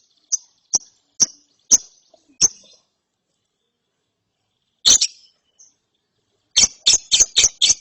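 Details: Young lovebird after therapy gives short sharp chips in a loose series, a pause, one rough chirp, then a quick burst of five chips.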